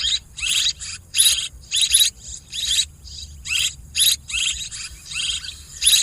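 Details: Swiftlets calling as a lure for swiftlet farming: rapid bursts of buzzy, high twittering chirps, each lasting a fraction of a second, repeated irregularly about once or twice a second with short silent gaps.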